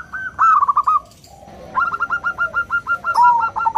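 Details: Local zebra dove singing in a clear 'crystal' voice as a lure for other doves; one short trilled phrase, a brief pause, then a longer run of about ten quick, evenly pulsed cooing notes.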